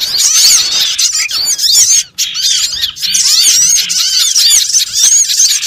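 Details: Trapping lure of small birds calling: many overlapping thin, high chirps and looping whistles poured out almost nonstop, one short gap about two seconds in, then the frantic chatter resumes.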